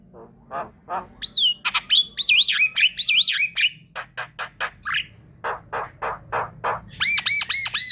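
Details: Javan myna calls played as a lure to draw in flocks: harsh broadband squawks in a fast irregular series, with upward-swooping whistled notes early and a run of rapid arched chirps near the end.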